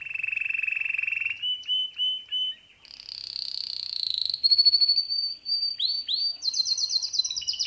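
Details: Male canary singing at home: a steady buzzy trill, a short series of clipped notes, a dense rolling phrase, then rising sweeps and a high rapid trill at the end.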